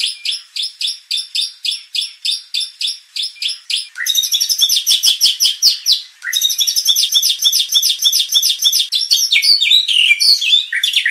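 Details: White-rumped shama song used as a provoking recording to make contest birds emotional and sing their full repertoire: high, rapidly repeated chirped phrases about every half second, then denser, faster runs of varied sharp notes, each burst opening with a rising note.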